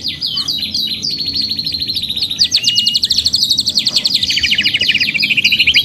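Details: Canary in sustained song as a training recording: clear whistled phrases give way to very fast, even trills that run on for seconds, bright and high-pitched throughout.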